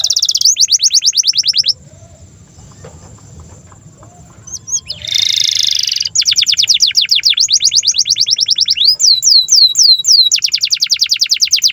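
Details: Canary singing energetically, offered as a tutor song for juvenile canaries and silent birds: rapid high trills of steep downslurs, broken by a quiet pause and a brief harsh buzzy burst, then more fast trills and looping whistled sweeps.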